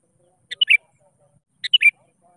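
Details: Sooty-headed bulbul calling rivals, used as a lure for quiet bulbuls: two identical short phrases about a second apart, each a click followed by a bright, slurred downward warble.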